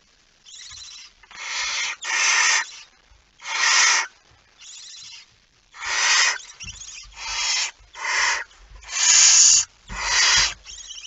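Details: A barn owl holding a mouse, recorded in Friesland, Netherlands, on 17 September 2019 at 01:49, gives about a dozen harsh, breathy, rasping hissing screeches of half a second to a second, repeated irregularly with short gaps.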